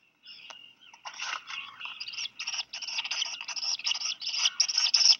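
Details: Two Black guillemot chicks, about a week old, beg with rapid, high, wheezy peeps at about three per second, growing louder and more insistent as both parents deliver fish. Recorded 4 July 2020 at 2:47 PM, Seal Island National Wildlife Refuge, Maine, USA.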